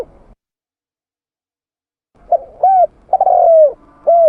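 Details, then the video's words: Spotted dove (tekukur) call recorded for use as a bird-catching lure: after a silent stretch, a low hollow coo phrase of short notes and one longer drawn-out falling note. "Suara tekukur pikat mp3 /suara burung tekukur / เสียงนกเขาใหญ่ / Turtle dove sound effects"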